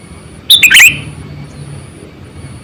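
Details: Single energetic Sooty-headed bulbul phrase used as a trapping lure: a quick cluster of bright, bubbly notes tumbling downward, then quiet background with a faint high whine before another phrase begins at the end.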